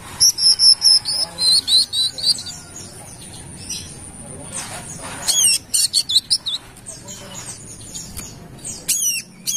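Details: Brown-throated sunbird from Kalimantan, singing frequently as a lure recording: rapid, very high, thin chirps and sharp downslurred ticks in bursts, with a high steady tone running through the first half.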